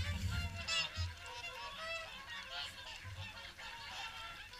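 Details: A crowd of swans at the Caerlaverock morning feed keeps up continuous honking, with many short, bugling calls layered over one another. A soft low rumble comes through near the start.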